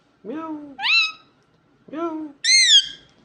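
An Indian ringneck parakeet talks in two quick two-syllable phrases, each a low, hoarse word followed by a higher, squeaky one, about a second and a half apart.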